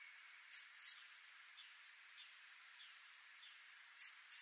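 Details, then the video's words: Great tit (Parus major) singing: a crisp two-note whistled phrase, a long gap with faint thin high notes in the background, then the phrase starts again. "Great Tit Parus major)"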